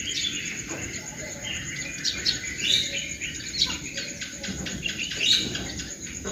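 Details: Morning birdsong with several birds chirping and twittering in quick, irregular bursts of high sharp notes, over a constant shrill insect drone and faint low background rumble.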